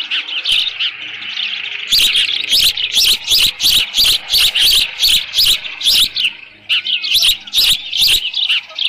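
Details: Osprey at its nest on 13 June 2018 near 11:37 in the morning, with leftover fish present; a quick series of high, sharp chirps, about three per second, punctuated by loud broadband knocks and thumps.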